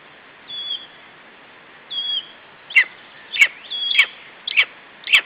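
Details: Wood warbler at 9:07 am on 4 June 2012, giving monotonous repeated calling: thin, brief whistled notes alternating with sharp, downward-sweeping high notes, roughly one every half-second, over a faint steady hiss.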